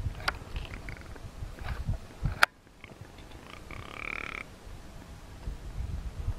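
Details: A small group of rock ptarmigan in breeding display in the Iberian Peninsula give low, dry, rattling croaks in a steady run, with two sharp clicks and a brief higher two-toned note partway through.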